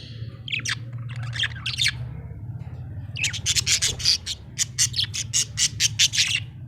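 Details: Happy budgie chirping, a few scratchy notes followed by a fast, rhythmic series of harsh chattering pulses, over a steady low hum.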